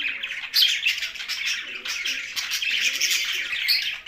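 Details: Budgerigars living together with a parrot in Larkana, Sindh; bright chirps and rapid warbling from a group, overlapping tweets with occasional louder high notes.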